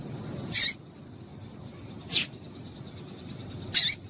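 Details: Female double-collared seedeater calling to stimulate a male to sing; three sharp, harsh chips spaced about one and a half seconds apart over a faint steady hum.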